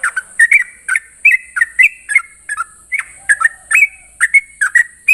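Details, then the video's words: Sooty-headed bulbul singing ropel song in the morning, lively slurred whistles in quick pairs and triplets, some rising sharply, with a steady high hiss in the background. "Ropelan trucukan gacor terbaik penuh emosi pagi hari"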